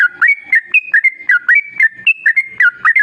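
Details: Yellow-vented bulbul song played to lure other bulbuls into singing: a brisk run of liquid whistled notes that swing between two or three pitches, some rising slurs, repeated without pause.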